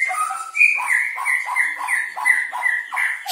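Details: Cucak jenggot, the grey-cheeked bulbul, giving 'speed rapet' song: loud, evenly repeated whistled phrases, each a bright note dropping to a lower one, about every third of a second.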